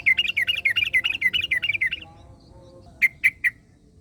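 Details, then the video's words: Wild yellow-vented bulbul, with another bulbul answering: a fast run of bright, bubbly chirps for two seconds. After a short pause come three sharp, separate notes, over faint low rumble. "KICAU Burung Trucukan Ngalas Trucukan Lain Langsung Nyaut"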